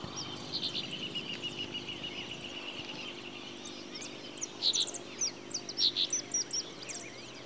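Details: In Santa Fe, Argentina, during 2023, a Brown-chested martin gives soft twitters, then loud paired chirps near the end, over low steady hum and background noise.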